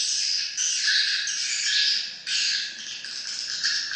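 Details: Swiftlets calling in a dense, continuous chorus of high, buzzy chirps and twitters, with bursts of overlapping notes pulsing irregularly more than once a second.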